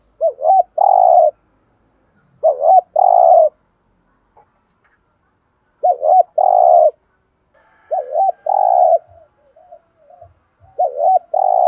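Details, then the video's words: Spotted dove with a thổ sấm voice singing varied phrases, each a quick two-part rising-falling note followed by a longer sustained coo, repeated roughly every two to three seconds with faint soft notes between. "chim cu gáy ra nhiều bài"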